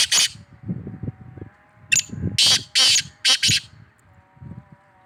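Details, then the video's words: Black francolin, locally called kala tetar or Sindhi tetar: a harsh, grating phrase of several loud, broad rasping notes, with a steady hum and low background noise. "Kala tetar tetar awaz black francolin black Patridge sound sindhi tetar"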